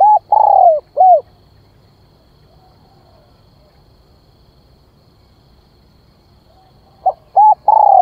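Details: Decoy spotted dove's luring call: a mellow, downward-sliding coo and short note at the start, several seconds of near silence, then short clipped notes leading into another drawn-out coo.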